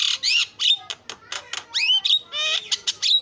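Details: Javan myna (jalak kebo) in a chattering filler song used for training other birds: a fast, varied mix of harsh buzzy bursts and sharp rising and falling whistles, nearly continuous.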